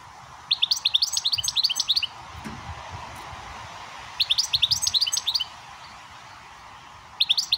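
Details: Caged European goldfinch singing to a young siskin x canary mule to teach it; bursts of fast, high tinkling twitters and trills lasting one to two seconds, separated by short pauses in a quiet room.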